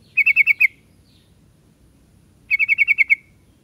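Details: Yellow-vented bulbul (trucuk) giving two rapid volleys of bright, evenly spaced chirps, about six notes each, with a pause of nearly two seconds between volleys.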